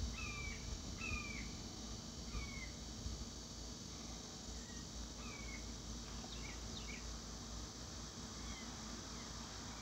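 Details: Juvenile red-shouldered hawks complain with thin, down-slurred squealing calls every second or two while their parents share food nearby without bringing it to them; a steady low rumble and faint high hiss run underneath.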